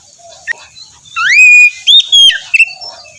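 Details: Oriental magpie-robin morning song meant to rouse a reluctant singer: a long rising whistle, a high level note, and a couple of short chips, over soft background hiss.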